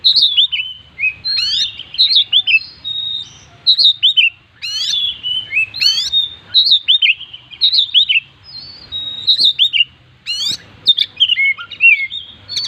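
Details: Oriental magpie-robin in lively 'gacor full isian' song with its characteristic shot-like notes: steady run of short whistled phrases, upslurs and downslurs, broken by several harsh rasping bursts over about twelve seconds.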